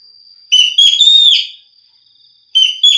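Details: Green magpie giving a drawn-out, slightly rising whistled phrase with buzzy overtones, followed by two shorter whistles. A faint steady high tone lies beneath.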